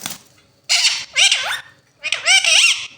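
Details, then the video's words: A talking pair of Indian ringneck parakeets: loud, raspy speech-like utterances, a brief one and two longer phrases with wavering, rising and falling tones, sounding like mimicked words. "TALKING RINGNECK PAIR"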